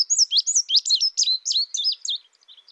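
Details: ['Indigo bunting giving a quick run of high slurred notes that rise and fall sharply, some in pairs, fading out after about two seconds.']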